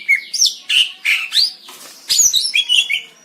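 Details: Greater green leafbird song: bright, clear whistled notes that sweep up and down, delivered in quick, varied phrases with short pauses and a rapid chattering burst near the end.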